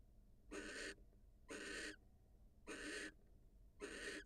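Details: Wild barn owl, a female leaving her nest to meet her mate, gives four harsh, hoarse hissing calls at roughly one-second intervals, each burst broad and breathy, over faint low noise.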